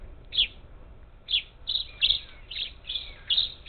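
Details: At a Houston-area feeder on the Texas Gulf Coast, 27 July 2021, parakeets give loud raspy squawks in uneven clusters, with a faint thin whistle underneath.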